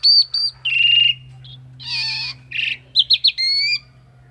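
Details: Local male Javan pied myna, half-mature and kept as a singing bird, delivers short loud whistles, a harsh broad screech and quick clipped notes in varied bursts over a constant low electrical hum.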